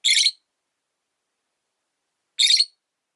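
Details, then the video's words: Widowed rosy-faced lovebird on its perch in a windowside cage gives two loud, grating, high-pitched chirps a little over two seconds apart. "Lovebird Chirping Sounds"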